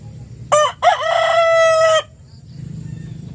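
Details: Rooster crowing in the morning: a single crow with two short clipped opening notes, then one long, steady, harmonic-rich note held for over a second before stopping abruptly, over a faint low background rumble.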